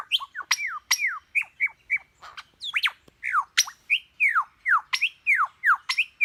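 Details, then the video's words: A bird imitating other birds' calls: rapid series of loud, sharply falling whistled notes and chips, almost evenly spaced at about two to three per second, varied in shape, with a quiet background. "Suara burung apa saja dia pandai menirukan nya"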